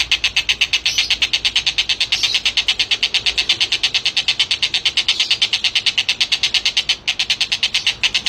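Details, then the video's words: Collared kingfisher giving a long run of harsh, high chattering notes, about three each second, steady and loud throughout; used as a tutor song for competition songbirds. "masteran ampuh tengkek buto gacor"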